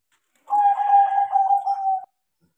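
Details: Crossbred zebra dove, trained to sing, delivering one unbroken phrase of about one and a half seconds: a steady, slightly wavering, purring coo held on one pitch.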